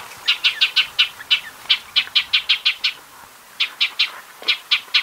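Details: Shining sunbird in desert scrub of Africa or Arabia: a steady series of bright, sharp chirps about five a second, broken by one brief pause before the run resumes.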